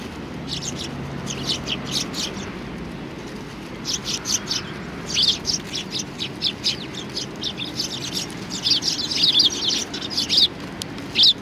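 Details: Flock of sparrows gathering for food at a Tenmangū shrine on 25 November 2020, giving scattered high chirps in clusters with short pauses, growing denser and louder toward the end.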